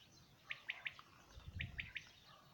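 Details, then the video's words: A 2019 recording of a quail: two quick triple-note phrases, bright and evenly spaced, over soft low rumble. "Quail song 2019"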